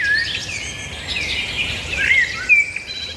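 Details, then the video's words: Several birds singing together outdoors, with high thin whistled slurs and rising notes over a steady, busy twittering chorus. "birds singing"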